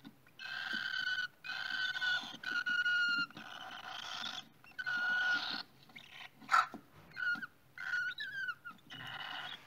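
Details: At a cockatiel nest, a series of rough, buzzy calls about a second long come in quick succession, with a sharp knock and a few short squeaky notes toward the end.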